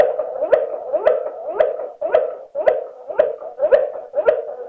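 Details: Slowed-down klokkende tour of a Waterslager canary, a steady string of round, knocking notes that rise slightly at their start, close to two notes per second, with no other sounds.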